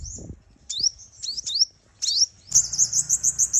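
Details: Female sunbird call used as a trapping lure to make males fight: several spaced, sharply rising high chips, then a sudden fast, evenly pulsed high trill.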